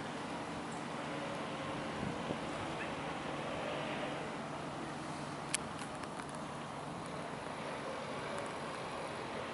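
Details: Steady background hiss and traffic rumble at a lakeside, with a few faint clicks and no clear animal voice.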